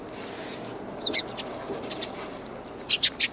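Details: Sparrows greeting the person filming on the way out on 7 April 2020, one with a hurt leg; several faint chirps, then three sharp high chirps in quick succession near the end over steady outdoor hiss.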